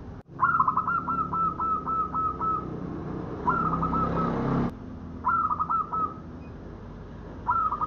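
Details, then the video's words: Cooing of a local zebra dove, used as a trapping lure: several bursts of fast, purring trilled notes, each phrase six to eight beats long, over a low rumble of passing traffic. "Suara Perkutut Lokal Cocok Untuk Pikat"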